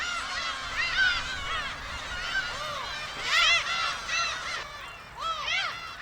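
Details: A crowd of Black-tailed Gulls gives overlapping nasal, mewing calls, each rising then falling, in bursts every second or so; a colony filling the sky over Dokdo, where they come each May and stay until egg-laying ends in August.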